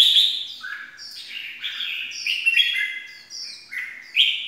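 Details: Red-whiskered bulbul used as a lure for trapping: a run of bright, slurred whistled phrases jumping between high and middle pitches, loud and continuous.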